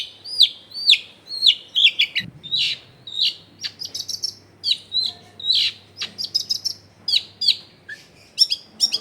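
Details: Long-tailed shrike singing, a recording meant to make quiet shrikes join in; a rapid jumble of short, sharp, downslurred chirps and high tweets in quick bursts, with a brief low thump and a faint steady hum.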